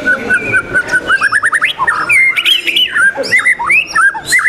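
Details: Murai batu (white-rumped shama) competing in a singing contest, 12 December 2021. A steady whistle leads into a fast series of rising notes and looping, swooping phrases, with other contest birds audible faintly.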